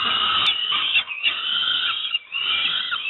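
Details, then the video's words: Harsh, wheezy, continuous screaming from peregrine falcon young at Moszna near Pruszków, Poland, begging while receiving breakfast, with two brief dips in loudness. "Sokół wędrowny-Moszna -Pruszków"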